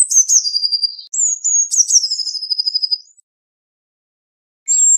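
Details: Eurasian blue tit singing high, thin phrases: opening notes falling into a rapid buzzy trill, then a second phrase of high whistles dissolving into a long quick trill, ending with a lone high note after silence.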